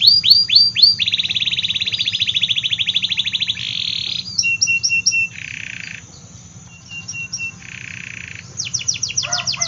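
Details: Vigorously singing AF canary, offered as a lure for reluctant and young canaries: sweeping chirps, then a long rapid buzzy trill, steady piping notes, shorter buzzy rolls and closing downslurred sweeps, over a faint low hum.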